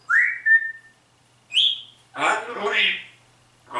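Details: Talking pet grey parrot gives a rising whistle that levels off, then a second brief upslurred whistle, followed by a burst of raspy speech-like mimicry of human words. Quiet indoor setting.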